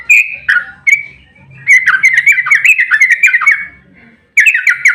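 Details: Fighting 'ropel' song of a yellow-vented bulbul (trucukan), a lure to make other birds respond. A few loud whistles, then a fast, bubbling run of warbled notes, a pause, and another burst.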